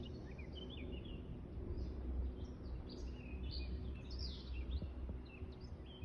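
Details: Live birdsong with a constant deep rumbling noise underneath: several small birds chirp and twitter, giving quick high notes and short phrases.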